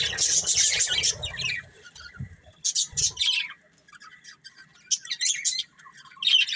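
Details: Budgies of a breeding pair chattering and squawking: a loud burst of harsh, high notes at the start, then scattered chirps and short scratchy phrases separated by quieter pauses, with a few low thumps.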